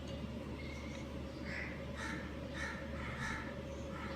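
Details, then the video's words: Budgerigar breeding pair chirping: a run of short, harsh, rasping chirps repeated roughly every half second to second in the second half, over a steady low electrical hum. "Amazing Budgies chirping sounds | Australian parakeet breeding pair"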